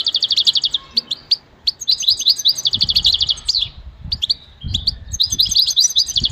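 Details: Goldfinch uttering bursts of quick, bright chirping trills and jingling notes in short phrases with small pauses, and faint low thumps in between.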